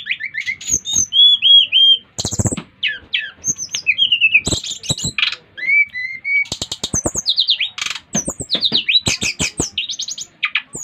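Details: Five-month-old brown-chested jungle flycatcher from Bali in lively song meant to prompt others to sing, a varied run of high whistles, short looping notes and rapid chattery bursts, broken by loud clicks and rattles.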